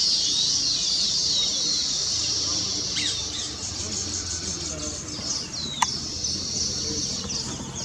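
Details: Weaver birds on completed nests give a busy high chattering chorus with harsh squawky notes and a sharp click around the middle, the chatter fading slightly in the second half.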